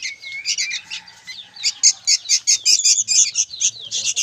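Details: Young sooty-headed bulbuls calling noisily: a dense stream of rapid, high, buzzy chirps in quick bursts, almost non-stop, with a thin level whistle running underneath during the first second.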